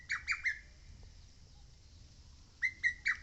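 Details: Lesser cuckoo on Mount Oike giving three strong, descending whistled notes, then silence, then three more notes that open the next phrase.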